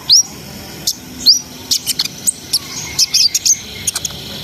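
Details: Song of a brown-throated sunbird that rolls on and fires off notes, played to lift breeding arousal in untrained birds: thin rising whistles followed by a run of short high chips and clicks.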